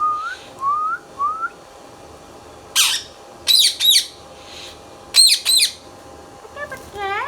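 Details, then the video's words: Green Indian ringneck parrot, a pet talking bird, opens with three quick rising whistles. Loud grating squawks follow in separate bursts, and a buzzy rising call ends the sequence. "Indian Ringneck Parrot | Ringneck Parrot Talking | Indian Mithu Tota | Parrot Natural Sounds"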